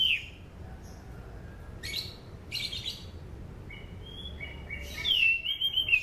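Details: Orange-banded thrush song, used as a lure for training birds: a brief falling whistle, short scratchy bursts, then a long warbling whistled phrase with a trilled, wavering quality toward the end.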